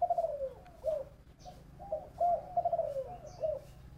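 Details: Spotted dove cooing in the 'thổ bầu' voice style: a short series of soft, low, downslurred coos in two or three linked phrases, with brief faint chirps from other birds.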